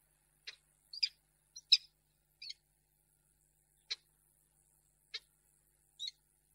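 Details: Female peregrine falcon in Reda, Poland, 10 March 2022, declining a gift: harsh, scratchy chips, clustered early then spaced more than a second apart.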